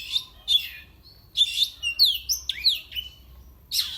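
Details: Oriental magpie-robin, a kept bird, whose singing is said to agitate rivals. It gives bright, clear whistled notes that slide down and up, mixed with short harsh chirps in a quick, irregular sequence.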